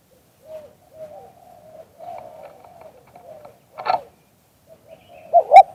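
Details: Spotted dove with liu tan style cooing, recorded live: soft, low, broken coos in a loose sequence, ending with a louder rough double coo.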